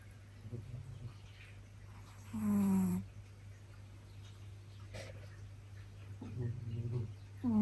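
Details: A pet Japanese quail gives its egg-laying call, a loud, harsh, slightly falling note lasting about half a second, with a shorter one at the end; dogs' snoring hums steadily throughout.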